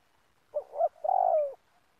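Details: Spotted dove calling at an oil palm plantation during bird trapping, where the bird is used to lure others: a short two-part coo, then a longer, steady, descending low hoot.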